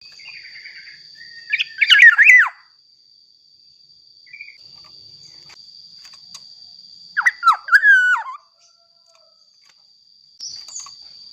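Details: Black-naped oriole singing persistently, used as a lure to get untrained orioles to sing: two loud, fluty, liquid whistled phrases with swooping falls, several seconds apart, over a steady thin high whine and faint background chirps.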